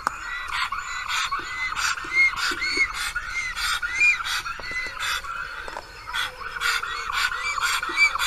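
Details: Black stork at its nest in Karula National Park on 10 April, calling in vain for last year's mate, who did not return: a string of hoarse, arched, honking notes, about two each second, with dry clicking bursts throughout.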